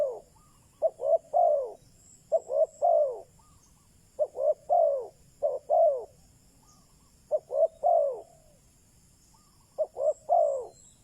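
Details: Decoy spotted dove calling to draw in wild doves, giving a steady series of three-part coos, two quick notes then a drawn-out descending one, repeated roughly every one and a half to two seconds over a quiet background.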